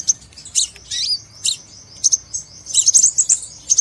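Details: Crimson sunbird lure call used for trapping: thin, very high-pitched chips and quick twittering bursts about every half second, over a faint steady high tone.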